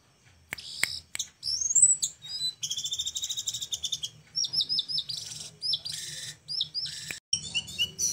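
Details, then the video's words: A small flowerpecker recorded as a tutor song for other birds, in a very unique style: scattered sharp clicks, a rising high whistle, then fast buzzy trills and bursts of rapid high ticking notes. "Kecil2 cabe rawit‼️layak dijadikan masteran dengan gaya sangat unik‼️"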